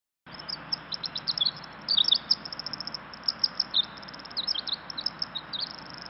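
A Pacific Wren's long, high, tumbling song runs on without pause: rapid tinkling trills and buzzy notes jumbled together over a faint background hiss.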